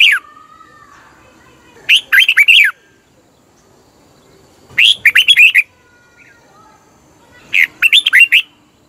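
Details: Red-whiskered bulbul from Thailand singing, a recording played to rouse caged birds or as a decoy: brief bubbly phrases of four or five quick whistled notes, repeated roughly every three seconds with quiet pauses between.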